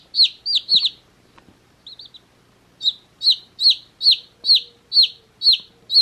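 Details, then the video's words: Shrill falling peeps from one-day-old baby chicks sitting in a summer hat, a few fast notes, a brief near-quiet pause with soft chirps, then a steady run of loud peeps about two per second. "Baby Chicks Chirping Sounds"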